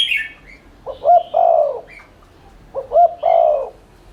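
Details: Spotted dove in fast lure cooing of the 'thúc liên thanh' style, meant to make other doves coo. Two phrases of double short coos and an extended croo, preceded by a high twittering bird call.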